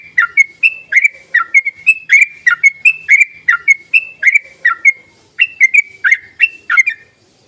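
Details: Yellow-vented bulbul rapid chattering call, played as a lure for bulbuls that are slow to sing: quick bright notes repeated about three per second, each with a sharp downward flick, one brief pause midway, clean background.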